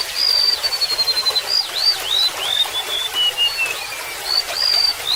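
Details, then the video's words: Golden-bellied gerygone opening with long, level high whistles, then weaving wavering upslurred notes that descend gradually, with a continuous background of babbling water. "SUARA BURUNG REMETUK LAUT"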